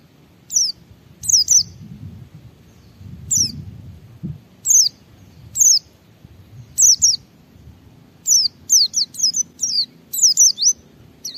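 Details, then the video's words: Loud white-eye singing to spur other white-eyes into song: sharp, high, falling chirps given singly or in quick pairs and trills, spaced through the recording, over a soft low rumble of background noise. "Suara Burung Pleci Gacor membuat Semua Pleci langsung ngalas"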